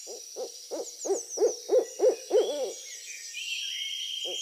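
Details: An owl hoots in a series of short, low, hollow notes, roughly three per second, growing slightly louder toward the middle, then stops; one last hoot follows after a pause, over a faint high-pitched whine.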